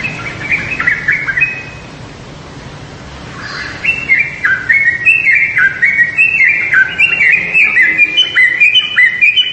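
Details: Yellow-vented bulbul calling: a short burst of bubbly, warbled notes, then a pause of about two seconds before a long, dense run of quick, jumping chirps that rise and drop, with overlapping phrases suggesting more than one bird.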